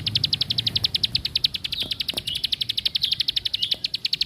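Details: Plain prinia song: a fast, even series of sharp, ticking high notes, about eight per second, running steadily for over four seconds, with a few faint low clicks underneath.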